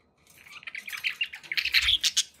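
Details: Budgerigar kept as a pet, warbled chatter building from quiet to loud, rapid chirps and scratchy notes over about two seconds.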